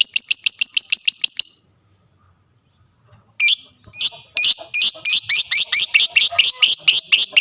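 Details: Lovebird song meant to make listening lovebirds answer. A quick string of shrill, sweeping chirps, a short silence, then the bird resumes with sharper, louder, evenly spaced high notes.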